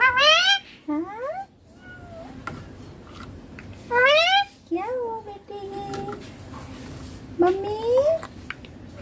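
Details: Young Indian ringneck parakeet imitating Hindi family words like papa and mummy: a series of harmonic, nasal, voice-like syllables, some rising and others falling, in spaced bursts with short gaps between them.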